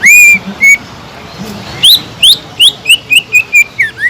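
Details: Sumatran leafbird singing to rouse other leafbirds into emotion and breeding condition; long whistled opening notes, then a quick sequence of upward-swept and short looping whistles repeated about four per second.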